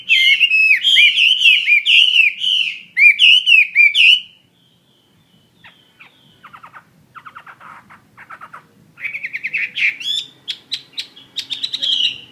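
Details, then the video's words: Chinese hwamei of the fighting type (họa mi chiến), sold as a pet bird, singing strongly: four seconds of rich repeated whistled slurs, a quiet stretch of soft rattling chatter, then the loud varied song resumes in quick bursts. "Họa Mi chiến 21"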